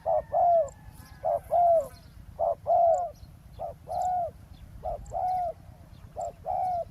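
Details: Spotted dove cooing during roadside ground decoy trapping of a wild dove; repeated short-long coo pairs, some louder and some softer as if two birds trade calls, with faint high chirps.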